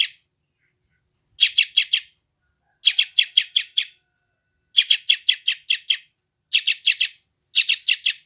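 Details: Young sooty-headed bulbul from West Java, recorded by Android phone, with calls meant to tame freshly caught wild birds: rapid high chirps grouped in bursts of four to six, repeated every one to two seconds, no other sounds.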